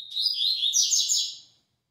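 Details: Double-collared seedeater singing the "tui tui" song type: one high, buzzy, warbling phrase of about one and a half seconds, wavering and rising in pitch before fading out.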